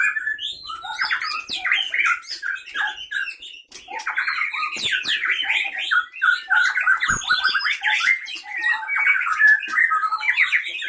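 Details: Fighting white-rumped shama in a cage, a wild-caught bird of the Leuser Pining area, Aceh, Indonesia; long unbroken stream of sharp chattering notes, squeaks and whistled slurs, dense and rapid, with occasional knocks.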